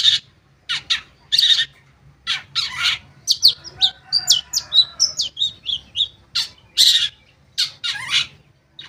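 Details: Long-tailed shrike song used as a lure to make caged shrikes that have stopped singing start again: a busy run of sharp, high chattering notes and short buzzy bursts, with brief pauses between phrases.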